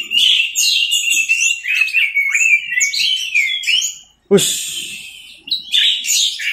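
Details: Anis merah, the orange-headed thrush, singing teler style for a tutor recording: varied slurred whistles and quick warbled phrases, a sharp tap midway, then a brief gap before the bird resumes.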